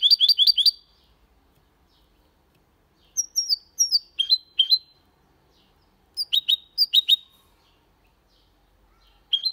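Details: Goldfinch × canary hybrid in Malaga-style song: short bursts of three to five sharp high chirps separated by quiet gaps of one to two seconds.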